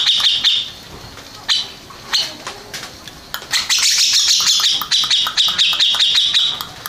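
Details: Grey-cheeked bulbul, first-place contest winner, starting with scattered short chirps and sparse notes, then breaking into a sustained bright, harsh chattering run of rapid clipped strokes.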